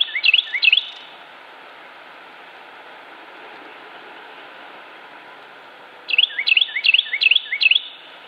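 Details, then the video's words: Carolina wren singing in Cabarrus County, North Carolina, United States, on 26 January 2016: a brief burst of ringing, rolling whistled phrases, a pause of about five seconds, then five quick repeated phrases, over a steady background hiss. "Carolina Wren (Thryothorus ludovicianus) - Song"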